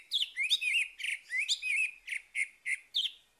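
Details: Orange-headed thrush singing in the morning, used to coax a silent bird back into song: a fast, varied run of loud whistled and slurred phrases, notes rising and falling, delivered in quick succession with short gaps.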